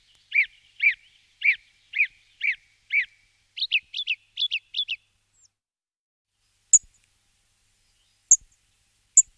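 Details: Song thrush repeating one fluty whistled phrase six times, then switching to a higher, quicker chirp repeated about five times. Three sharp, isolated clicks follow in the quiet afterwards.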